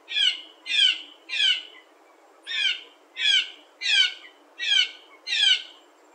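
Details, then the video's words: Eight loud, harsh, nasal blue jay calls, each down-slurred and rich in overtones, given about every 0.7 seconds with one slightly longer pause, from a small flock in spruce trees on a September 2nd morning. "Blue Jays - Strange sounds"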